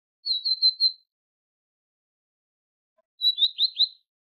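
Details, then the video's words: Tit song from a tutoring recording for goldfinches: two short phrases of four quick, high, clear chirped notes, about three seconds apart, over a silent background. "تغريد طائر الحداد ( القرقف) شريط تسميع الحسونChant de la Mésange"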